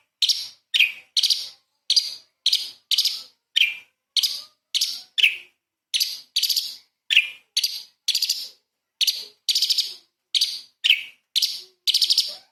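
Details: Light-vented bulbul, or cucak cungkok, in lively shot-like song used as a training recording for murai and kacer; over twenty sharp buzzy bursts in a fast, slightly irregular sequence, background otherwise silent.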